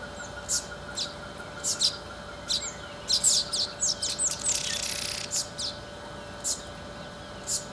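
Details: Male southern masked weaver weaving its nest near Magaliesberg, South Africa, in November 2017, filmed with a Canon G15 camera: bursts of sharp, high, scratchy chirps at irregular intervals, with a longer buzzy, hissing phrase in the middle.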